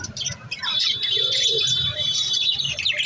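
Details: Budgies chirping in a continuous busy chatter of high squeaks and warbles, with a steady whistled tone running through, and a soft low hum underneath.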